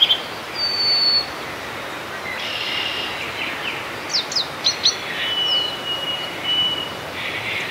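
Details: Harris's sparrow singing at Grant Park, South Milwaukee, Wisconsin, on 14 May 2016: long, clear, high whistles held on a steady pitch, the second one lower. Quick chirps from other birds and a steady background hiss are also heard.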